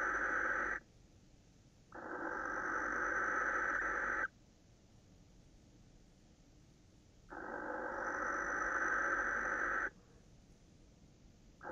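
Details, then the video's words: Male barn owl screeching at a female at night, recorded on 26 December 2017 around 21:07; long harsh hissing screeches of about two and a half seconds each, separated by several seconds of quiet. "Kerkuil, M brult tegen V"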